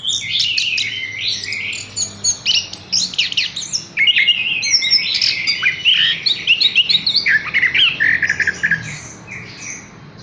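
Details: Horsfield's bush lark, a caged bird hung up straight away, sings a dense, fast stream of varied high chirps, trills and buzzy notes with short pauses, about four phrases a second, over a faint low hum.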